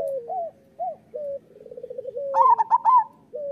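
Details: Local zebra dove song meant to stimulate lazy doves. Short rising coos and a soft rolling trill lead into a loud burst of quick, higher stuttering notes, then another short coo.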